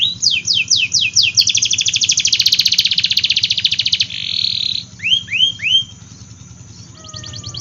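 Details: Canary singing as a lure for reluctant and young canaries: falling whistled notes lead into a long fast pulsing trill, a buzzy held note and three upslurred whistles, then quieter trilling and a low hum.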